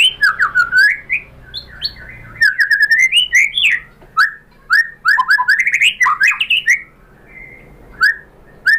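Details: Lure recording of white-rumped shama song meant to provoke a kept bird into answering with its full repertoire: loud, varied whistled phrases and chirps in rapid bursts, tapering to a few spaced, clear rising notes.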